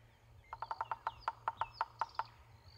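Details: A bearded woodpecker (Chloropicus namaquus) drums to claim territory: about a dozen sharp, woody knocks, fast at first and then slowing, with faint high chirps from other birds behind.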